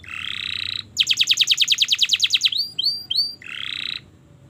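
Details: Canary song used as a long, continuous master recording for teaching young canaries to sing: a buzzy rattling trill, then a fast run of rapid repeated notes, a few slurred whistles, and the buzzy trill again.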